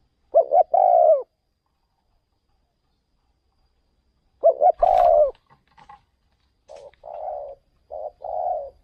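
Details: Spotted dove used as a luring decoy in another province, singing low coo phrases with long pauses, a stuttered lead note then a drawn coo, plus a thump, rustles and softer distant cooing toward the end.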